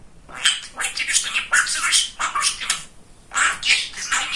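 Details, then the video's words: A chatty male pet budgerigar talking indoors: rapid raspy, speech-like syllables in bursts of babble with brief pauses, a short gap near the three-second mark, then another run of scratchy chatter. "Разговорчивый Волнистый Попугайчик"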